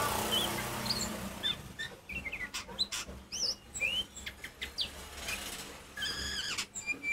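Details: A kacer poci, the Oriental magpie-robin, sings a loud provoking song meant to set other magpie-robins calling. Scattered sharp clicks and short whistled slurs are mixed with one rising whistle and a harsh, buzzy rattling burst near the end.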